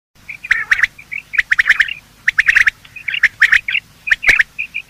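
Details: Male and female quail calling in the morning, sounds used for quail hunting: sharp repeated clicks and short rasping notes in quick bursts, with softer chuckling trills between them.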